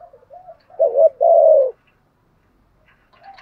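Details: Decoy spotted dove cooing to attract wild doves: faint soft notes build into a wavering coo and one long rolling coo, followed by quiet with faint sounds at the end.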